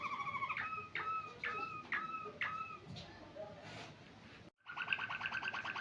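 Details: White Waterslager canary singing: a run of repeated two-toned whistled notes with bright overtones, a brief pause, then a fast bubbling rolling trill; faint room noise underneath.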